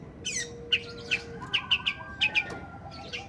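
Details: Long-tailed shrike in breeding condition, calling while making harsh churring notes; sharp, bright chirps repeat irregularly about every half second, over faint steady tonal hum and low background noise.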